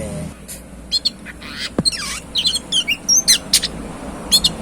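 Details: Singing kacer, or Oriental magpie-robin, described as gacor: dense quick sequence of high chirps, buzzy notes and short downslurred whistles, nearly continuous, with low background hum.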